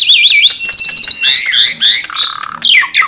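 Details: A tame Asian pied starling sings vigorously, opening with wavering whistled warbles, then buzzy rattles, harsh rasping strokes, and sharp descending squeaks.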